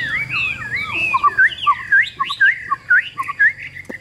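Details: Caged Chinese hwamei with a yellow bill singing loud, fluid whistled phrases, rising and falling slurs interleaved with lower notes, delivered at a lively pace.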